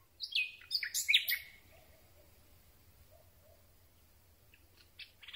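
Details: Common Nightingale singing in darkness, picked up on a handheld boom microphone: a crowded burst of sharp, scratchy chirps and whistles, then a quiet stretch with soft low notes and a few high clicks at the end.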